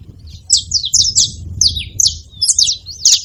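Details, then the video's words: Saffron finch calling noisily in a tree, sharp high downslurred chirps and short buzzy notes repeated at an uneven pace, about two per second. "Canário da terra fazendo barulho na seva"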